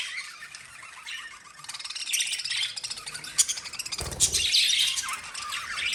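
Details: Pet lovebirds chirping in a quick stream of sharp, high squeaks and twitters, growing louder and busier toward the end, with a brief low thump partway through.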